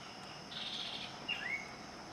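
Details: Asian paradise flycatcher (Terpsiphone paradisi) giving a harsh, rasping note followed by a short sharp chip and a brief whistled slur, over a steady high insect hiss.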